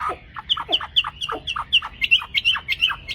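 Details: Kept Chinese hwamei singing in a song contest, greeting the dawn: rapid repeated phrases of a sharp high whistle paired with a falling slurred note, about three per second, with a soft low hum underneath.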